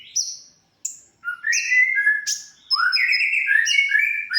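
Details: Konin (olive-backed sunbird) tutor recording for songbirds: a few high sharp notes, then a rich, rapid, chattering warble of mid-pitched varied phrases.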